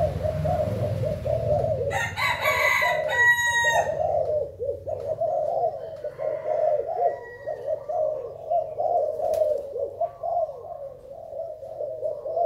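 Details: Thai zebra dove song from 19 April 2019: continuous quick, low, trilling coos throughout, with a rooster crowing loudly over it early on and a few faint higher chirps later.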